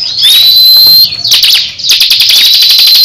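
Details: Crescent-chested babbler dueling another bird in captivity: a rising high whistle, a burst of chips, then a fast even ticking trill under a thin whistle.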